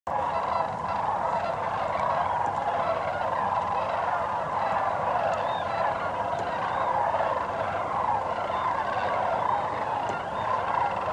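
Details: A dense chorus of many sandhill cranes gathering at dusk to roost in a shallow marsh at Sevilleta National Wildlife Refuge, rolling bugling calls overlapping into a steady roar as flocks keep arriving.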